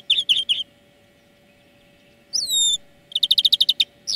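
A European greenfinch sings bright twittering chirps, a drawn-out rising whistle, then a quick run of about ten ringing notes, over a faint steady hum.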